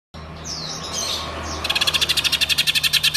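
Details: Green leafbird, a kept bird, imitating a lovebird's ngekek trill: soft, faint whistled notes, then a loud, rapid, buzzy trill of even pulses about eight per second until the end.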